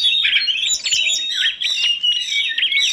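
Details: Energetic birdsong from a training compilation featuring oriental magpie-robin, tledekan gunung and prinia: dense, continuous high whistles and rapid chirps with sharp frequency sweeps, barely pausing over three seconds.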